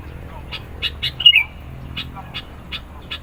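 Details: Sooty-headed bulbul, played to provoke rivals and lure birds: a run of short, sharp chirps spaced roughly a third of a second apart, with one brief warbled note in the middle, over a quiet background.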